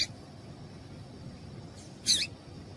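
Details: Female yellow-bellied seedeater calling to spur males into song: one loud, high, slightly buzzy chirp after a faint earlier note, with quiet background hiss.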